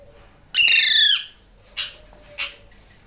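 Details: Hand-fed Alexandrine parakeet chick giving one long, strained, nasal screech that falls slightly in pitch, followed by two short, softer rasps a little over half a second apart.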